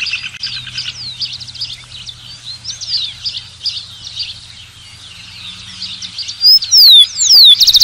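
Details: Rufous-collared sparrow song: after a long stretch of dense, high bird chatter, two clear downslurred whistles ring out, then a fast, buzzy trill begins at the close.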